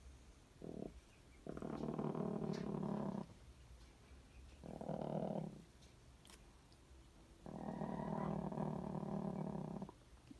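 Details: Two caged hens sharing one egg, growling at each other: three long, low buzzing growls, each one to two seconds, separated by quiet gaps.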